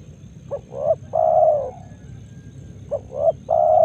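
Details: Two full coo phrases from a near spotted dove in Karawang rice fields at morning, each a brief rising note then a long hoarse coo, spaced about two and a half seconds apart, over low ambient hum.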